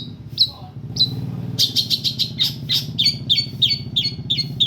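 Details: Long-tailed shrike singing, recorded for tutoring other birds: a few isolated high whistled notes, then quick, scratchy chirps speeding into a steady string of upslurred notes, over a steady low engine-like rumble.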